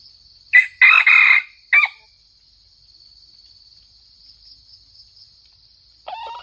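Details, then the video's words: Red junglefowl from Sumatra crowing, a recording used as a lure for trapping: a short harsh opening note, a long rasping middle note and a clipped closing note within about 1.5 seconds, over a steady high insect hum, with a second crow starting at the end. "Mikat ayam hutan merah Sumatra"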